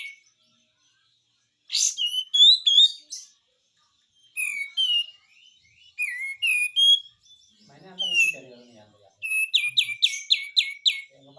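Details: White-eye singing in the besetan style: scattered high whistled phrases and chirps, with faint lower warbling, ending in a fast run of repeated sharp notes.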